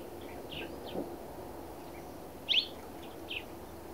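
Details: A Black Redstart in the Narsapur forests gives short, high chirps, scattered irregularly with one sharper note standing out, over a low, steady background rumble.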